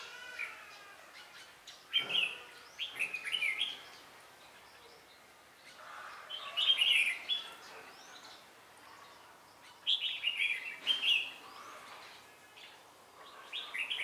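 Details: Red-whiskered bulbul used as a decoy during trapping in Vietnam, recorded 17 December 2016; short bright warbled phrases of two to four notes recur every few seconds, with other faint birds chirping in the background.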